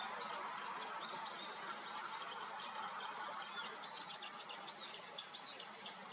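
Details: Grey Wagtail fledglings a few days out of the nest in Yeoncheon in May give thin, high chirps, repeated rapidly and overlapping, begging for food, over a steady rushing background like flowing water.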